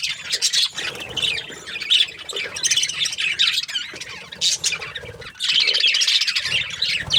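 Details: A group of budgies chatters in busy bursts of scratchy, high twittering, broken by brief quieter gaps before a loud, sustained stretch of warbling near the end.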